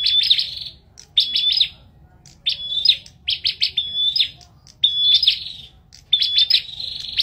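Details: Bar-winged prinia giving a chattering song: sharp ticking clusters alternating with long thin whistles, phrases spaced a second or so apart, bright and near with only soft low hum behind.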